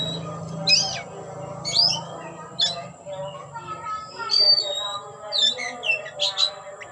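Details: Oriental magpie-robin (kacer) showing off with its tail open, producing scattered squawky notes, thin whistles and harsh chips in an irregular series, with a droning low hum throughout.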